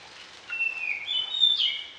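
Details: Orange-headed thrush in varied song, used for training other birds in the morning and evening. A short, sweet, warbling whistled phrase that slides between several pitches over about a second, against a quiet background.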